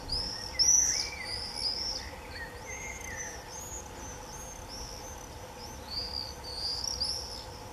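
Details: Common swifts screaming in early July 2018: loud, drawn-out shrill screams from several birds, overlapping and trailing away, returning strongly near the end, with a faint steady hum behind.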